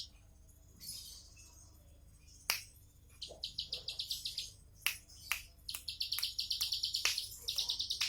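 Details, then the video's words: Bar-winged prinia (ciblek sawah) in relaxed tembakan song, opening with scattered sharp clicks and short notes, then bursts of rapid high buzzy chirps that start and stop in short phrases. "Tembakan santai ciblek sawah"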